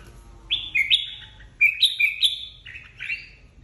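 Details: Competitive singing by a flock-leader red-whiskered bulbul: clear, loud whistled phrases in two bursts, each a quick chain of bright slurred notes stepping up and down, with a softer trailing phrase at the end.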